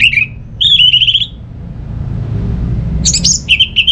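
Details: Orange-headed thrush song played to get idle home birds singing, Singaraja, North Bali: short bursts of rapid warbled notes and trills, a pause, then higher chirps and repeated quick notes over soft background rumble.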